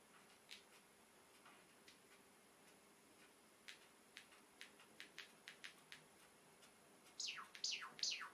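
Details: A two-year-old pet sakura (cherry) Java sparrow, filmed dancing, sings: sparse dry clicks speed into a quick ticking run, then end in loud, ringing, bell-like falling notes in an otherwise quiet room.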